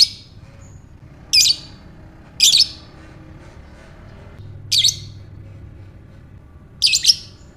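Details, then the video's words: Lovebird calling to spur another bird into ngekek chatter: five harsh, high, rasping squawks spaced one to two seconds apart, some doubled, over quiet low background hum. "Buat Mancing Lovebird Bagus Ini | Lovebird Ngekek"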